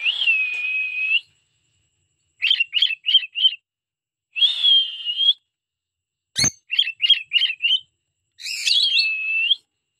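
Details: Pet cockatiels sing a repeating pattern: a long high whistle, then four rapid short notes, repeated three times over ten seconds, with one sharp click midway.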